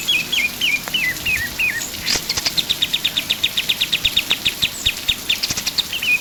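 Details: A vigorous pied triller, recorded to tutor songbirds, opens with six descending stepped whistles, then delivers a long rhythmic trill of sharp, evenly spaced notes about four per second, closing with another falling whistle.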